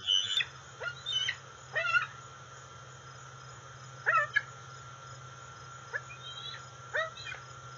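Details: Juvenile female bald eagle, 131 days old, heard off the nest on August 5, 2020, before flying in to take a fish from her father. Scattered short, high chippy squeals come in bursts every second or so over a low hum.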